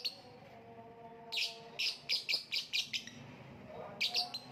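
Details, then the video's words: Lovebird giving a quick run of sharp, high chirps, roughly seven in close succession, a short pause, then two more; low steady whistled tones sound beneath at the start. "voice of lovebird / Lovebird kicau"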